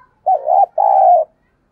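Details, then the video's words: Decoy spotted dove calling to lure wild doves: two low, mellow cooing notes in quick succession, the second longer and steadier, with silence around them. "tiếng cu gáy/ Chim Cu Mồi Thúc Gù Gáy Gọi Đủ Bài Kích Bổi"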